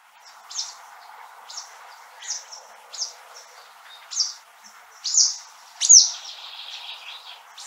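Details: In Central Russia, a western yellow wagtail gives thin, high, slurred tsweep calls at uneven intervals, about one each second, over a steady low hiss of background noise.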